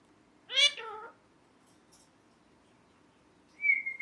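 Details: Talking pet ringneck parrot: a two-part, voice-like utterance with rich harmonics, a long pause, then a clear, steady high whistle at the end.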